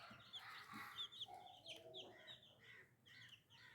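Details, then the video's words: New little chicks with chickens: rapid high peeps from many chicks mingled with lower clucking and a drawn-out mid-pitched call, a dense, continuous farmyard chatter at low volume. "Chicken Free Sound || Funny Chicks baby || New Little Chicks"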